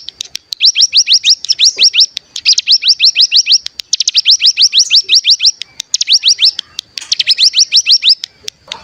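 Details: Bar-winged prinia (cigun) bren burst used as a lure to spur birds into song: loud, fast trains of identical high sweeping notes in runs of one to two seconds, separated by brief gaps.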